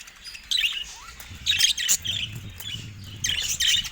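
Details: Budgerigars in a cage attacking a camera. Short bursts of scratchy chirps and warbles separated by quieter gaps, with a faint low rumble between them.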